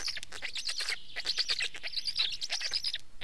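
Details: Black stork giving fast, rasping, hissy calls blended with high whistled notes, uttered in quick irregular succession without a break.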